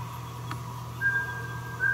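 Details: Mountain scops owl, Taiwan endemic subspecies, at Meinong, Taiwan, 3 September 2020: one level whistled note, then the start of a second, with a soft click early on and a steady low hum throughout.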